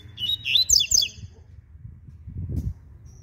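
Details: A double-collared seedeater gives a short ziper song in the morning, a fast run of high, buzzy, zigzag notes lasting under a second, then low rumbling background sound.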